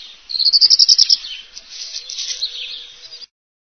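A European Robin sings a high phrase: a quick run of about ten thin, bright notes, then a softer, slurred warble.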